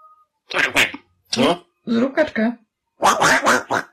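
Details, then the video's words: Grey parrot named Oscar, a talking bird just starting to talk, mimics human speech with four short, throaty, syllable-like bursts in a quiet room; owner had just asked for a duck call and praises the duck. "Gadająca papuga"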